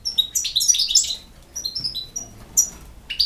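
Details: European goldfinch singing: bright, high twittering phrases of rapid tinkling notes and short buzzy slurs, in bursts with brief pauses between them, over a quiet background.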